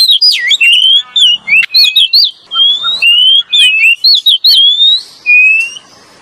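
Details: Male and female Oriental magpie-robin singing as a lure; rapid sequence of clear whistled slurs, rising and falling, with a few harsh chirps, nearly continuous over six seconds.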